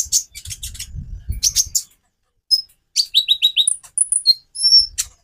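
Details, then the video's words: Konin song variety, the purple-throated sunbird, used to spur other birds into song: a rapid run of high chips over low rumbling, then a pause and a series of clear down-slurred whistles. "Variasi kicau burung Konin bikin burung lain gacor"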